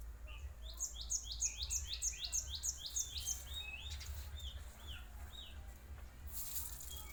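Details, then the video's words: Song of a cinereous tit, used as a lure to attract other tits: a rapid, regular series of high, ringing notes, about eight in a row, followed by softer slurred whistles, over low constant rumble and a brief hiss near the end. "Kicau glatik batu ampuh buat pancingan glatik bahan"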